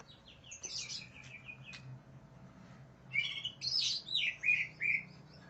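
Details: Fired-up greater green leafbird hunting for a rival, delivering a quiet string of descending whistled notes, then a louder burst of rich slurred whistles and warbles over a low background hum.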